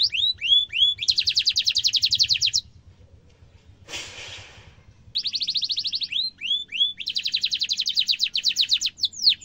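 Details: Canary song meant for training young and adult canaries: long fast trills of rapid repeated notes alternating with curved whistled upslurs, broken by a brief burst of noise and a pause before the trilling resumes.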